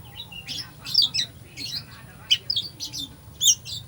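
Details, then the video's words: Oriental magpie-robin singing a song full of mimicked fill-in phrases, used to provoke a sluggish magpie-robin: harsh, scratchy high bursts and short whistled notes in quick clusters, separated by brief pauses, with a steady low hum behind. "Kacer full isian , cocok buat pancingan emosi Kacer lemot"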